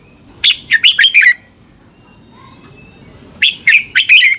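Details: Red-whiskered bulbul from Thailand, song used to train or rouse caged birds; two rapid phrases of five sweet, warbling whistled notes, each falling at the end, separated by a two-second gap, with a constant faint high tone.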